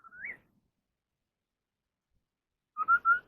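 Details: Chinese hwamei, ground type, singing in contest style: a short whistle rising to a higher note, a long silence, then three clear, slightly rising whistled notes close together near the end.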